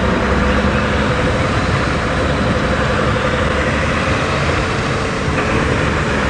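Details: A loud vehicle engine idles steadily throughout, with no animal sound audible.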